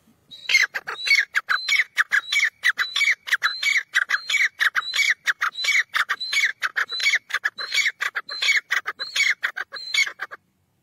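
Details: A black francolin, kept as a partridge by its owner, gives loud, harsh, grating call phrases, repeated quickly and almost without pause for about ten seconds; no other sounds stand out.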